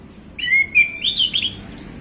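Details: Male orange-headed thrush in a relaxed afternoon 'ngeplong' song meant to coax other birds into singing: a long level whistle, then a warbled rising twist and a few quick bright notes fading away.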